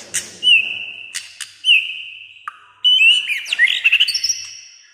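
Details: White-rumped shama, a bird said to sing almost all day with many voices; clicks and long level whistles, then a burst of rapid twisting, rising and falling notes ending in a high thin whistle.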